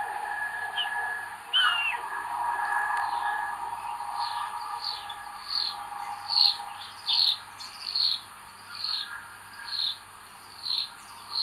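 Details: Common buzzard nestlings begging on 25 May 2022, in a nest where the eldest chick is aggressive: a run of short, thin, high squealing notes, repeated a little more than once per second, over a steady low hum.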